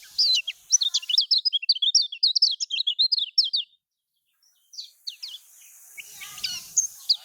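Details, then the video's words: Lemon-bellied white-eye song from Lombok, played to prompt quiet caged birds to sing: a fast run of high, thin, chirping notes lasting about four seconds, a brief pause, then scattered fainter twitters. "Ini Yang Di Pakai Kicaumania Untuk Kecial Kuning Males Berkicau"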